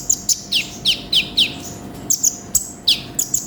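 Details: An olive-backed sunbird sings vigorously, a tutor recording with full filler phrases: sharp, high, downward-sweeping whistles alternate with thin level notes, about three per second, with a faint hum underneath.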